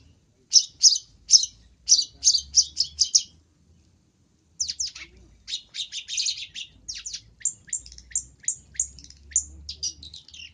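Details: Luring sound of a long-tailed shrike: a quick string of harsh notes, a brief silence, then a longer, varied scratchy chatter with thinner squeaky notes mixed in.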